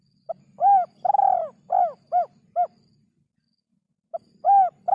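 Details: Spotted dove (derkuku) song in a hard-to-find rhythm: five arched, hollow coos in a falling sequence, the second drawn out and vibrating, a silent pause, then the phrase starts again. A low rumble sits under the notes.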